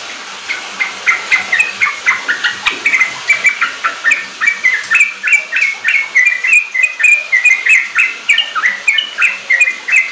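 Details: Lure recording of a sooty-headed bulbul singing in the energetic riwik and ropel style, meant to prompt young caged birds to sing; a steady stream of quick, clipped whistled chirps, about three to four each second, continuing for ten seconds.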